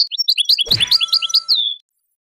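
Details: European goldfinch singing, used for training and to stimulate breeding: rapid high twittered notes with a brief dull thump midway, ending in a drawn-out descending whistle.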